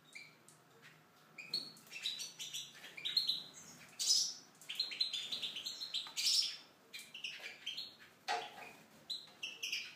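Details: Tunisian goldfinch in an aviary singing a rapid, tinkling jumble of high twittering notes and liquid trills, with more chirps from other small birds nearby.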